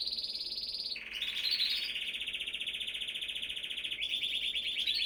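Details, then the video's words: Canary singing: a steady high trill, then a long rapid buzzy rattle of repeated notes, ending in a faster rising trill. "beautiful canary singing"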